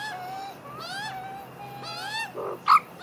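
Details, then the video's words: A magpie family, adults and young, feed together after the adults were annoyed with the young ones. Several birds give overlapping, drawn-out mewing notes that slide up and down, then a short harsh squawk near the end. "Magpie family eat after fight making funny sounds"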